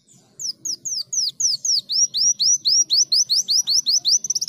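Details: Greater green leafbird singing vigorously in canary-imitating style: a fast, steady series of about twenty sharp, high, downward-slurred whistled notes, quickening and ending in a rapid flurry of short chips.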